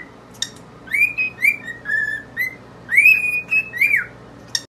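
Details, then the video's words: Pet cockatiels whistling, two birds singing with a mirror: a series of clear whistled notes, some rising and some level, with rising slurs and short pauses between phrases, plus a few sharp clicks. "Birds Singing Earth Wind and Fire??"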